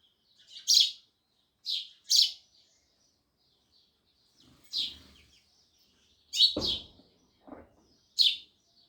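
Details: Loud chirping sparrows, clusters of high chirps with short twitters, joined by a couple of low knocking thuds in the second half.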